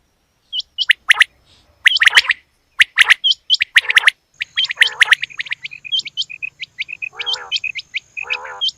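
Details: Female quail giving rapid bursts of short, sharp high chirps, some clustered in quick clicking runs, with a few lower, buzzy, harmonic-rich notes near the end and a faint steady high tone behind.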